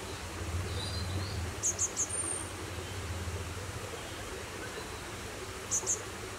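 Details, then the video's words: A juvenile cinereous tit fledgling that has fallen out of the nest calls for help with very high, thin notes, three in quick succession, then two more four seconds later, over a low rumble of distant traffic. "Cinereous Tit - A juvenile fallen out of the nest and calling for help"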